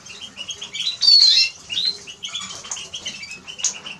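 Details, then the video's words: Eurasian siskin singing a quick, high chatter of short twittering notes, broken by a loud, strained wheeze after one second, then more scattered chirps. "Eurasian siskin Song -Spinus Spinus -Scatiu"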